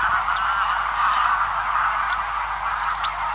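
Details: ['Large feeding flock of Greylag Geese calling from a distance: a dense, continuous chorus of overlapping nasal honks, with brief high chirps from Swallows and White Wagtails above.']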